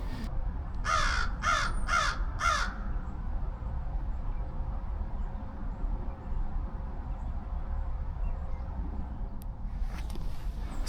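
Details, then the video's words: A crow that flew in near bird feeders at Ellanor C. Lawrence Park gives four harsh, hoarse caws in quick succession, then falls quiet, over a low steady background rumble. "And then, while I was looking at that, a crow flew in and started calling. So, take a look at that."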